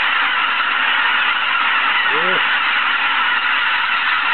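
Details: Geese at Izunuma at 6 in the morning; one nearer, lower honk with a quick rise and fall sounds once over the steady roar of a huge calling flock.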